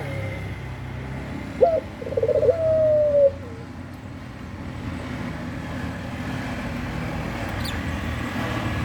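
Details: Single rolling coo from a collared dove called puter pelung, wanting to mate: a sharp opening note, fast trilled stutter and a sustained slightly falling tone, amid continuous low traffic-like rumble.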